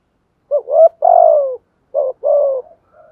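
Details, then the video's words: Decoy spotted dove giving thúc gù coos in giọng thổ voice. Two paired phrases, each a brief coo followed by a drawn-out falling coo, separated by a short pause in a quiet setting. "chim cu moi thúc gù bài bản"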